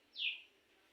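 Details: A pet common myna in Singra, Natore district, gives one clear, high whistled note that slides downward, lasting about a third of a second, against faint background hiss.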